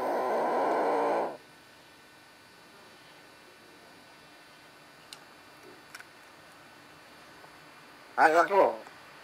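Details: A pet common hill myna named Calimero, which mimics Italian words, utters one brief, buzzy, speech-like phrase with wavering pitch near the end, after an opening burst of rushing noise and a few faint clicks.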